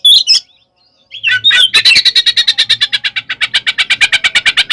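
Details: Oriental magpie-robin giving provoking fighting song, ngekek style: brief whistles, a pause, then a long steady rattle of rapid harsh chattering notes, about three per second-tenth pace, unbroken to the end.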